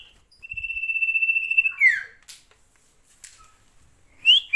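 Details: Sirtu bird singing actively, holding a long high whistle that throbs in quick even pulses before sweeping down, followed by scattered clicks and a final short rising whistled note.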